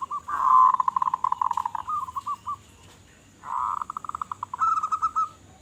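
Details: Zebra dove of local Indonesian stock, in big-voiced song meant to attract other doves: a rich rolling coo dissolving into rapid beats, a short pause, then another purring roll and a higher bubbling phrase.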